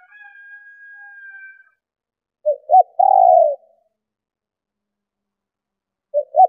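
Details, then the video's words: Female spotted dove cooing to stimulate males to call: two short low notes, then a longer, louder hooting coo, the phrase restarting about four seconds later; a faint thin whistle comes first. "Tiếng Chim Cu Gáy Mái Kích Bổi Nhanh Gáy"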